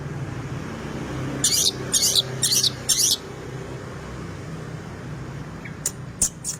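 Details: Long-tailed shrike singing its rich 'isian' song: four loud, raspy high notes about half a second apart, a pause, then three sharp clicks near the end over faint hum.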